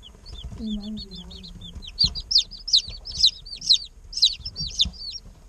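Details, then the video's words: Day-old chickens chirping in an incubator: soft quick peeps build into loud, sharp, falling chirps about twice a second, with a brief low murmur early on. "Chicks Chirping Sounds - Baby Chicken Sounds"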